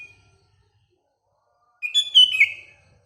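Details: Sooty-headed bulbul in the morning, with other surrounding birds: one faint whistled note, silence, then a short bubbly phrase of clear whistled notes falling and rising near the end.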